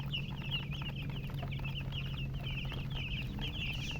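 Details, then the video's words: Chicks chirping loudly and continuously, dense strings of high, rippling peeps rising and dipping in pitch, over an even low hum throughout. "Baby "Chicks Chirping" Sound"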